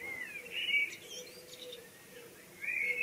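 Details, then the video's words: Evening birdsong: two bright whistled phrases, the first at the start and the second near the end, separated by a quiet gap. A faint steady low hum runs underneath. "3 minutes of birdsounds in the evening."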